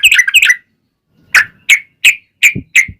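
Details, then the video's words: Yellow-vented bulbul in lively, long rapid-trill song used as a lure to make other bulbuls answer: two quick bursts of bubbly notes, a pause, then single short chirping notes repeated roughly every third of a second. "SUARA trucukan gacor ROPEL PANJANG pancingan trucukan agar bunyi JADIKAN burung trucuk gacor NYAUT"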